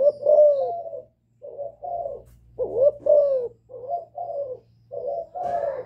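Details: Bowing and calling coos from a young spotted dove, said to suit and stir wild doves. Deep, rounded notes come in short groups, some with a quick dip and rise, spaced by brief pauses.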